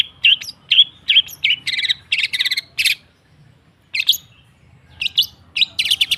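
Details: Long-tailed shrike, or cendet, singing to provoke stalled birds: a few clear whistles, buzzy rattled phrases, a silent gap of about a second, then more sharp rising notes and rattles.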